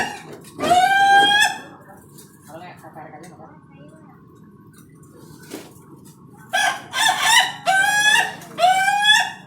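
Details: Contest-quality Ayam Ketawa, a laughing chicken rooster, crowing: a loud crow opens, a quiet stretch follows, then a run of four stuttering crow phrases close together.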